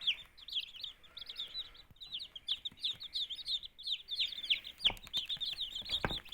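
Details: Two-day-old domestic chicken chicks, hatched 13 of 14 eggs in a homemade incubator and kept with quail chicks, give a dense chorus of high, rapid, overlapping peeps, with brief knocks and handling noises near the end.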